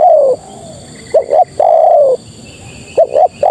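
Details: Spotted dove, female, calling males: long descending coos alternating with quick double notes, the phrase repeated roughly every one and a half seconds, clear against a light hissing background.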